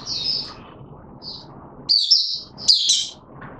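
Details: White-eye, a male being pushed on form, 31 December 2021: scattered high twittering notes and two louder warbled bursts over a low rumbling background.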